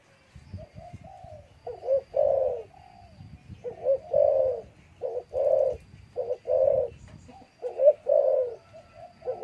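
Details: Captive spotted dove in a breeding cage, kept near a female, crowing: low, hollow coos in short broken groups, a soft lead-in note then several loud rounded coos with brief pauses, background otherwise quiet.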